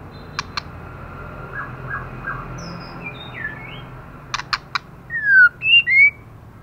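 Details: Female white-rumped shama in heavy moult, nearly bald, snapping and singing intensely: sharp dry clicks in pairs and triplets, soft faint notes, then three loud whistled slurs, rising and falling, near the end.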